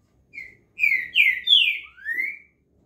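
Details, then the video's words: Trinca-ferro, the green-winged saltator, sings one clear phrase: a short introductory whistle, then three strong descending slurs and a final upward-sweeping note. "Trinca ferro dos escritórios top demais"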